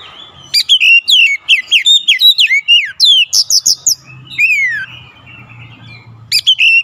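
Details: Oriental magpie-robin singing persistently, unloading its isian repertoire: rapid series of loud, clear whistled notes, many sliding downward, with sharp high chirps, a long descending whistle near the end and a brief final burst.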